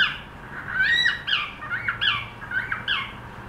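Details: A cockatiel trying to sing produces a continuous warbling chatter of slurred, buzzy whistles that rise and fall rapidly, loud throughout with brief dips between phrases.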